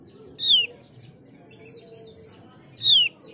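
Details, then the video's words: Mees's white-eye used to draw out other white-eyes: two loud falling whistled notes about two and a half seconds apart over a steady low hum and background noise. "Pancingan opior jawa biar gacor dijamin opior jawa bahan dan opior jawa ombyokan pasti nyaut"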